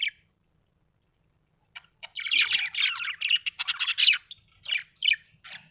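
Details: Happy budgerigar: one short squeak, a pause, then a long energetic stream of chattering chirps, squawky notes and quick high trills.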